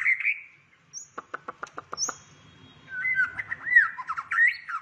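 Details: White-rumped shama of the shrimp-tail type singing in the 'rít thuốc lào' style: a slurred whistle, then a quick series of sharp dry clicks, followed by warbling, rising and falling whistled phrases.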